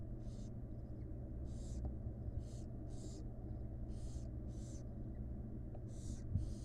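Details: Rasping, breathy hisses from wild barn owl chicks begging while the mother feeds them in a nest box, about ten bursts in loose sequence, sometimes paired, with steady background hum and a faint knock.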